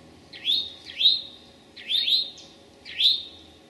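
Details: Eastern towhee in late morning on May 25, 2011, at Memorial Forest, Sudbury / Desert Natural Area, Marlborough, Massachusetts. It gives four bright, upslurred chirps, the first two close together, then two more about a second apart, over a faint low hum.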